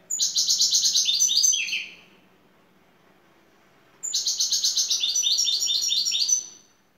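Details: Two vigorous phrases of şakşaklı song from a European goldfinch lead bird in Turkey, each a quick, rhythmic run of bright chattering notes dropping lower at the end, separated by a two-second pause.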